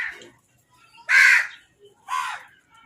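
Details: Crows feeding and fighting for food give two loud, hoarse caws about a second apart after a softer call at the start, then quiet.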